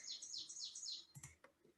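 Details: Ovenbird; song; establishing territory, attracting a mate, or answering neighbors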